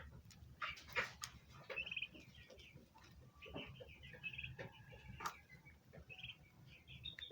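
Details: Turkey chicks chirping to keep in contact, in high, thin whistled notes. Some come as quick trilled runs and others as single peeps, mixed with sharp clicks and ticking sounds.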